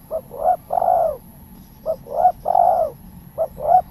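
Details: Spotted dove, a tekukur in full voice, repeating a three-part cooing phrase twice and starting a third: a short note, a longer coo, then a drawn-out slurred coo, low and mellow over faint background hum.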